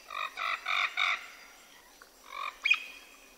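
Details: Parrots calling in the wild in a South American jungle: four harsh, nasal squawks in quick succession, a short gap, then two more rougher squawks over a faint, steady background hiss.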